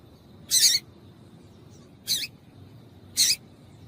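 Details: Female papa-capim giving calls meant to make males sing: three short, harsh, hissy chips, each about a quarter second, spaced one to one and a half seconds apart, over a faint steady high whine and low background rumble.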